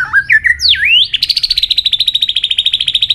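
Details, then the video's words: White-rumped shama in a singing contest, tail flicking: a looping whistled upsweep, then a fast even trill of about thirty identical high notes. "chòe lửa hót đập đuôi liên tục,kích chòe lửa hót đấu căng lửa sổ nhiều giọng"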